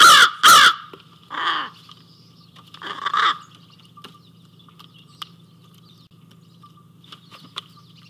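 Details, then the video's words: Crow at an Ontario feeder, 28 April 2024 around midday, apparently feeling crowded before moving off: two loud harsh caws in quick succession, then two lower, raspy, drawn-out calls, with steady low hum and faint clicks behind. "Crow sounds"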